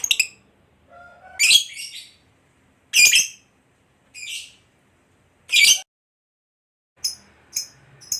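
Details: Fighter-type competition lovebird giving short, harsh, high squawks spaced a second or more apart, with a brief low tonal whistle between the first calls and faint rapid chips near the end.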